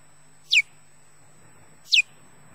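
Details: Male osprey at Loch Garten, Scotland, defending his mate and nest: two sweet, sharply descending chirps about 1.4 seconds apart, each a brief high slur dropping steeply, over quiet background with a faint steady low hum.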